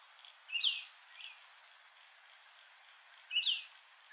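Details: Rainbow lorikeet parrots at Heatherdale Wetlands, captured with a Canon R7 camera: two sharp, grating screeches about three seconds apart, with a fainter chirp between them and quiet surroundings.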